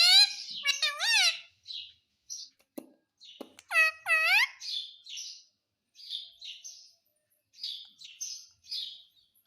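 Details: Green ringneck parrot kept at home, copying the word "mummy": a few loud bent harmonic calls in the first half, then a run of soft, breathy high mutterings and clicks spread out to the end.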